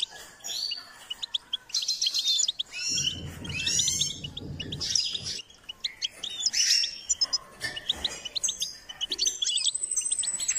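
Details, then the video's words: Goldfinch in full song while being stimulated to sing, a lively string of twittered phrases, buzzy trills and sharp chirps, with a steady high whistled trill toward the end and low rumble midway. "Step by step enhancing the goldfinch’s singing"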